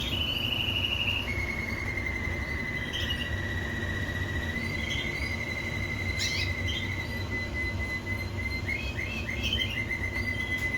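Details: Canary singing: a quick dotted trill opens, then long steady whistled tones that slide slightly upward, broken by sharp chips and short rapid rolls near the end, over a constant low rumbling background hum.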